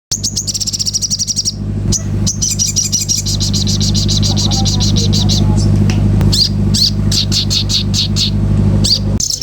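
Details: Common iora giving a rapid, high, buzzy trill for about a second and a half, then a dense stream of fast chattering notes with scattered sharp chips, over a strong steady low hum.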